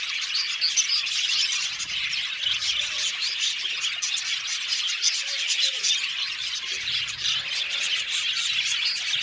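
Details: Colony of about 70 pairs of budgerigars kept in an aviary; dense, unbroken chatter of overlapping high, sharp chirps and warbles from many birds at once, steady throughout with no pauses.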